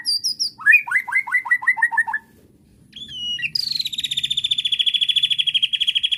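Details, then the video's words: Singing white-rumped shama, stirred up by a provoking recording: high paired whistles, a rapid series of repeated chirps, a brief pause, then a long, steady, high buzzing trill. "PANCINGAN JAHAT MURAI BATU EMOSI BIKIN LANGSUNG NYAUT DAN BONGKAR ISIAN DENGAR SUARA INI"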